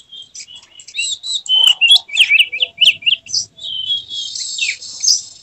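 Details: White-rumped shama singing in an emotional display with tail spread, a dense run of varied whistled and slurred notes around mid-high pitch, rapid and irregular, ending in a sustained buzzy high warble.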